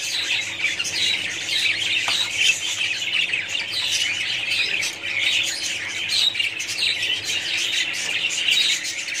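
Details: Budgerigar colony sounds: a thick, continuous chorus of high chirps and grating squawks, swelling and easing slightly in waves, with a quiet mechanical hum in the background.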